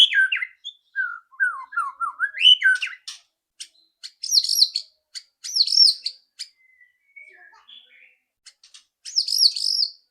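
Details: White-rumped shama loud rattling song, used as a lure to prompt another bird to sing quickly; whistled phrases sliding between low and high notes, broken by bursts of sharp ticking rattles and short pauses, with no background noise.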